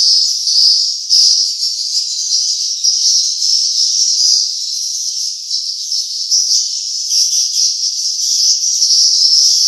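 Swiftlets twittering in a dense, unbroken stream of high, thin chirps, dozens of overlapping calls a second with no pause.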